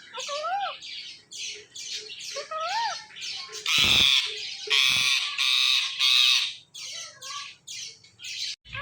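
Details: Talking pet Indian ringneck parakeet calling loudly: rising and falling whistled swoops early on, then a burst of shrill, grating screeches in the middle, and scattered raspy notes after.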